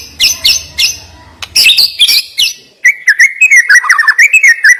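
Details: White-rumped shama delivering sharp isian: high piercing chips at first, then a dense rapid run of whistled notes with quick upward and downward inflections.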